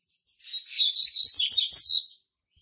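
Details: Young male Double-collared Seedeater, hatched March 2019, singing to mark its territory: one rapid, buzzy, twittering high-pitched phrase of about one and a half seconds, with jumbled notes rising and falling in quick succession and nothing else audible.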